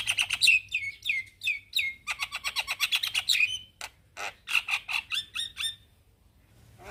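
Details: Male Javan myna summoning young companions: downslurred whistled notes and fast rattling chatter, then spaced harsh clicks and buzzy notes fading to quiet.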